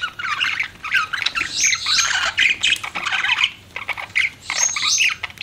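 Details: Pet budgerigar chirping in a busy, continuous stream of squawky warbles and chatter, with repeated short bursts and brief pauses between phrases.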